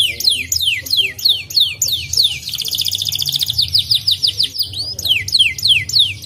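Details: Song of a white canary, used to stir other canaries into singing: evenly spaced, falling whistled notes give way to a long, rapid, rattling trill before the sliding whistles return.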